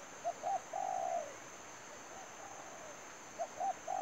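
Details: Spotted dove decoy for trapping calling in bursts: two brief notes then a sustained falling coo, a quieter phrase in between, and a new phrase starting at the end, with a constant high-pitched background tone.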